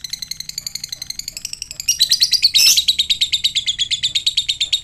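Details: Fighter lovebird giving the ngekek, used to provoke other lovebirds into answering: a long, fast, high-pitched chattering trill of rapid repeated notes that grows louder and harsher midway, then continues steadily to the end.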